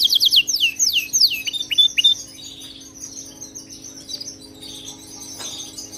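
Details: Canary song for training a pet canary: a loud run of swooping high notes repeated several times a second, fading into softer warbling and chirps, with a low hum beneath.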